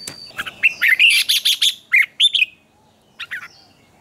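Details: Red-whiskered bulbul singing in a morning competition-training session: a dense run of about ten quick chirpy, warbled notes, a couple of rising whistles, silence, then two soft short notes, with a faint high whine at the start.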